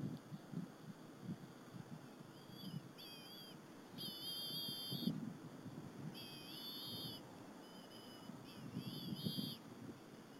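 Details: Bald eagle nestlings at Berry College share an afternoon squirrel lunch with their mother on 30 April 2015. Bursts of high, thin, squealing whistles recur every second or two, with low rustles and knocks from the nest.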